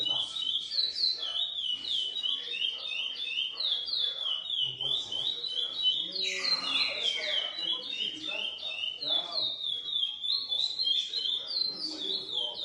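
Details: Lesser seed finch, captive-bred, GP crossed with Coimbra, delivering a long rapid series of bright whistled slurs repeated roughly three times a second, with one louder sweeping phrase midway and soft indoor background.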